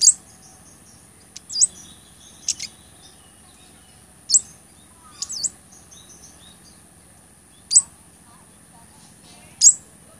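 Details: Recorded as tutor and lure song, a blood-breasted flowerpecker gives sharp, high ticks spaced a second or two apart, some as quick down-up slurred squeaks, against a faint constant electronic whine.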